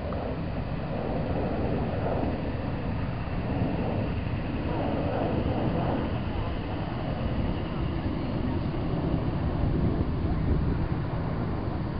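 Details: Steady low engine and wind rumble with faint voices, and no animal calls.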